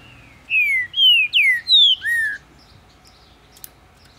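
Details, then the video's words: Green-winged saltator raised in captivity in Ribeirão das Neves, Minas Gerais, Brazil, delivering a rich phrase of five loud whistled notes that slide downward, followed by quiet with a faint click. "Trinca-ferro cantando muito quente! Abrindo canto!"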